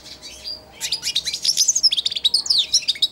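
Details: A hand-tame four-month-old goldfinch babbles its first subsong near the feeding hand inside its cage; after a soft opening note comes a lively, continuous jumble of high chirps, twitters and buzzy trills.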